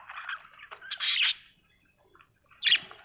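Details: Budgerigar chirping: a few scratchy, high chattering notes, then a loud harsh squawk, a pause, and one more sharp chirp.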